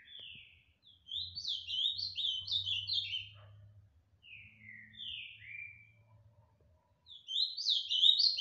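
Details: Ultramarine grosbeak singing the style called 'canto fibra' in Tijucas do Sul, Paraná, Brazil: three bursts of rich, warbled notes that slide downward, high and quick, separated by short pauses, over a faint low hum.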